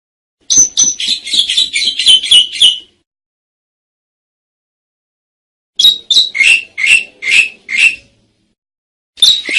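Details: Lure recording of an Asian pied starling: a quick series of grating, chattering notes, a long silence, then another burst of five or six harsh, squeaky calls and a final note at the end.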